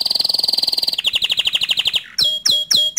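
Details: Singing canary whose song is meant to stir other canaries into singing along: a long rapid rolling trill, then a slower run of repeated notes, ending in sharp descending whistles.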